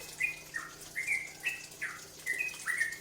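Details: Bulbul known locally as cucak ropel, singing as a lure to draw other birds into song, with bright whistled notes sliding down in short phrases, about two per second, above faint background hum.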